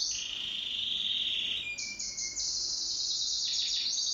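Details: Pet canary singing in duet, a high trill that steps up in pitch, with a faint thin whistle underneath and rapid sweeping notes toward the end.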